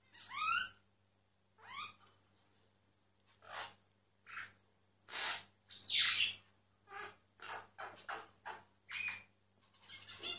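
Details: A singing myna, secretly recorded: well-spaced notes, opening with bright downward-slurred whistles, then a series of short harsh rasps and one loud squealing note, each separated by brief pauses, with a faint low hum.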